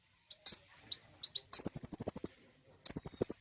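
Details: Common iora sound meant to spur a bird into singing: scattered high, thin chirps, then a fast chattering burst of about a dozen piercing notes, a pause, and another rapid high-pitched run.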